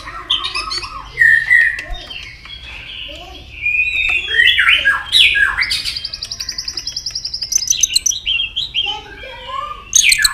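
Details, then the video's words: Provoked White-rumped shama in competitive song: varied warbles and slurred whistles build into a fast rattling high trill, with scattered sharp notes in between. "kích lửa cho chòe lửa căng lửa. chòe lửa tạch đập liên tục."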